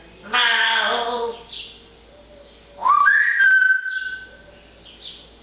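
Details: Pet parrot chattering busily in nice weather: a loud, harsh, noisy squawk, a pause, then another rough burst that turns into a rising whistle and a long, steady whistled note.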